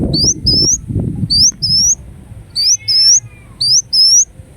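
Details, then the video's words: Ruby-cheeked sunbird, Indonesia, delivering shrill rising whistles in pairs about once a second, one faint lower buzz between them, with thumping handling noise at the start. "Kolibri Wulung Gacor Dorr Bocor Corr"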